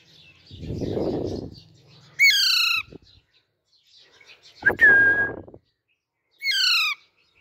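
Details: Young Alexandrine parakeet making three raspy, downward-sliding squawks, one of them a harsh, flat screech. Between the calls come soft rustling and bumping noises.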